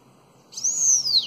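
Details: Bananaquit in the Belga alongado style for training youngsters: a single high, smooth whistle arching up and then sliding down, brief and clear against a quiet background.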